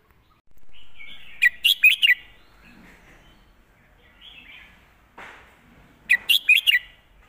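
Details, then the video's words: Master song of a red-whiskered bulbul, nicely phrased: two bright bursts of four rapid chirps about five seconds apart, separated by a soft whoosh and faint twitters. "นกกรงหัวจุก"เพลงแม่บท เดินสำนวนสวย"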